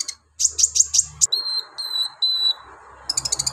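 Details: Brown-throated sunbird in full, lively song, unloading rough, harsh song material meant to stir other sunbirds. High, sharp chirps repeat five times in quick succession, followed by thin, level whistled notes and then a rapid burst of ticking chirps.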